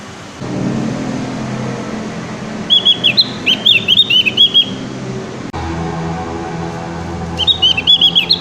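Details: Javan grey-throated white-eye learning to sing, producing two bursts of quick, high chirped notes over a steady low background hum.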